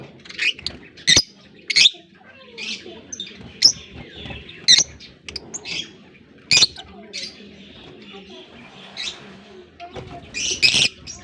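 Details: A breeding colony of African lovebirds in Larkana: shrill, scratchy high chirps and squawks repeat every second or so, some louder bursts near the end, over a quiet background.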